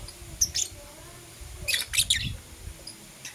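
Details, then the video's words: Short morning burst from Blue Opaline and Parblue Euwing Opaline lovebirds: a couple of thin high chirps, then a louder cluster of scratchy squeaks, with low rumbling background. "Lovebird Chirping Sounds"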